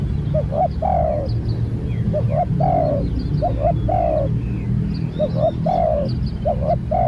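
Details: Spotted dove being trained as a new bird coos continuously, six or so phrases of a brief double note and a longer slurred coo, with low rumbling noise and light chirping of small birds throughout.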